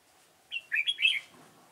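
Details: Red-whiskered bulbul used as a decoy at a trap to lure wild birds, giving one brief warbled phrase of liquid, bubbling notes over quiet background, with people talking just before and after.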